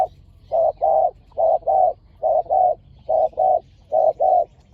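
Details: Spotted doves in a heated decoy-luring match between two fierce birds. Steady low hollow coos fall into repeated short-long pairs, about five pairs in quick, even succession against a quiet background.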